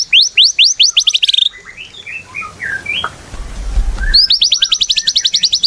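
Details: White-rumped shama in full song, used as a lure to set other shamas singing: fast bursts of high, repeated downslurred notes open and close the phrase, with softer scattered whistles and a low rumble in between.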